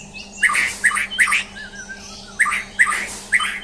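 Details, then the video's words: Champion white-rumped shama in a mental test, sounding a run of grating, rasping chacks and a short warbled whistle in the middle, with a low hum behind. "Tes Mental Murai Batu Juara"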